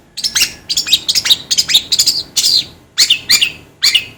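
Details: Long-tailed shrike song played as a master track for training birds: a steady string of sharp, squeaky downslurred chips and scratchy notes in quick uneven groups, each followed by short gaps.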